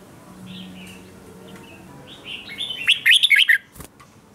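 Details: Red-whiskered bulbul in morning song training. Faint chirps build into a loud, quick burst of slurred warbled notes near the end, followed by a sharp click.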